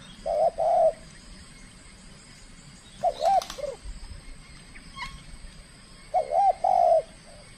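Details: Trained spotted dove from the Riau Islands, Indonesia, during its first contest bout: three rounded two-note coo phrases spaced about three seconds apart, with a short rustling clatter between the second and third.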